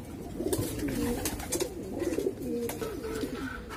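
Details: Several pigeons coo in overlapping throaty, bubbling phrases, punctuated by sharp taps and wing or foot clatter.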